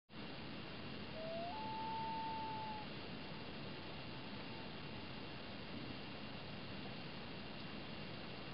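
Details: At sunset on Slocan Lake, a loon gives one clear, mournful note that steps up in pitch and holds for about a second and a half, then fades, over steady hiss of wind or water.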